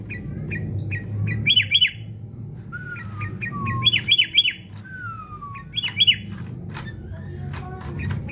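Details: Sooty-headed bulbul, used for fight-mentality training: bursts of three sharp, bright chirps repeated every couple of seconds, with short rising notes between. Lower, drawn-out whistled slurs also appear, over a steady low hum.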